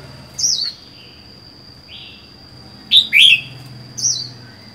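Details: Red-whiskered bulbul alone in its cage, captive for four months: a falling whistle, a softer low note, then a paired loud chirp and a final whistled phrase, with a faint hum and a thin high tone throughout.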